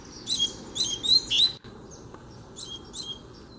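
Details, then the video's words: Free-flying double-collared seedeater challenging a caged bird: a quick series of high, sharp whistled chirps over about one and a half seconds, followed by fainter distant notes. "BADERNA O COLEIRO VEM NA MÃO PRA PEGAR O DA GAIOLA!!!"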